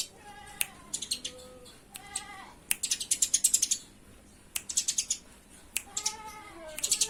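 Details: Eurasian tree sparrows in a fight: quick volleys of sharp, high chirps, several short series of evenly spaced notes, mixed with lower drawn-out wavering calls.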